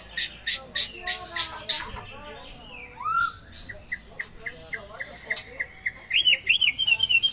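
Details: Pet white-rumped shama singing in the vigorous, non-stop gacor style: a varied run of sharp chips, slurred whistles and harsh notes. It ends in a fast series of bright, rising whistled phrases repeated several times a second.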